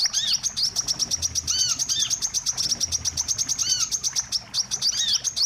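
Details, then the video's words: Wiceh lure for catching birds: an unbroken run of fast, high-pitched chirps, with arched slurred whistles appearing at irregular intervals throughout. "suara pikat burung wiceh"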